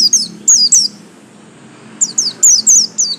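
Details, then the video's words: Buxtomi-type pleci white-eye with a yellow stripe giving high, rapid downslurred tweets in clusters, a burst near the start and a denser chattering group after a second-long pause, with low background hum. "absen garis kuning pleci buxtomi"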